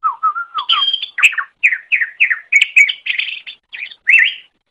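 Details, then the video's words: Greater green leafbird song used to tutor other birds: opens with a few low, smooth whistles, then a quick string of separate chirping, scratchy notes repeated in even succession. "Masteran Suara Cucak Ijo"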